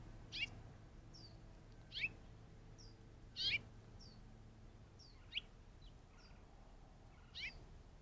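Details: Curve-billed Thrasher, off screen in the Arizona desert, giving sharp, whistled chirps about every one and a half to two seconds, while a young roadrunner is seen; fainter high notes from other birds and a low background rumble.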